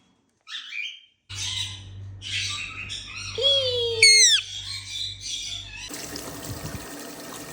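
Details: Pet Indian ringneck parakeets during molting: a run of shrill, scratchy squawks and short squeaky notes, with two bright arched screeches near the middle, soft human voices, and a hissing background noise in the last seconds.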